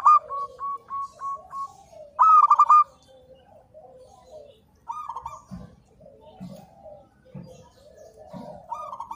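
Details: Local zebra dove song for training: evenly spaced mellow coo notes, then a loud bright stuttered burst, followed by softer lower warbling coos and occasional low knocks.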